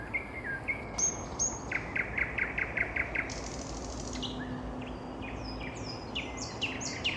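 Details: Nightingale in evening song, delivering a fast burst of loud, evenly spaced repeated notes followed by scattered high chirps and whistles from several other birds.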